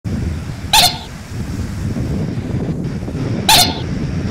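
A common moorhen gives two short, sharp, croaking calls about three seconds apart over a steady low rumble of background noise.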